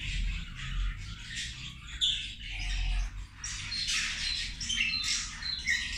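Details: Feeding zebra finches, a group chattering together: scattered nasal beeps and buzzy notes, denser after the third second, mixed with a noticeable low-pitched background rumble.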